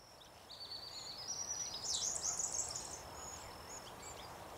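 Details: A small group of silvereyes in an overgrown field at Richmond Lowlands, NSW, in early September 2017 gives thin, high twittering. A rush of overlapping chips and short whistles peaks midway over a soft wash of background noise.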